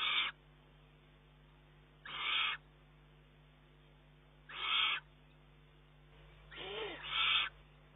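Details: Eurasian eagle-owl chick begging persistently from its mother, June 2011; four rough, hissing shrieks about every two seconds, the last one doubled, over a faint steady hum.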